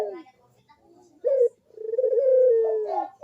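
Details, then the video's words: Barbary dove (burung puter) singing as a lure for doves that stay silent: a quick falling coo, a rough burst, then a long smooth coo that slides gently downward. "KUK DERUK BURUNG PUTER GACOR MANGGUNG ‼️PANCINGAN AMPUH UNTUK BURUNG PUTER YG MALAS BUNYI"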